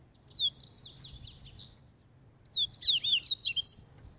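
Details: Double-collared seedeater training the caveirão style of song while loose: a soft buzzy warbling phrase, a pause, then a loud burst of quick, swooping, high whistled notes.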